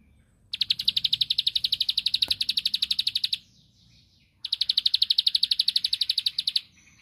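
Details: Bar-winged prinia, a ricefield prinia, giving two bursts of rapid, high, buzzy notes, roughly a dozen per second. The first lasts about three seconds and the second about two, with a pause between.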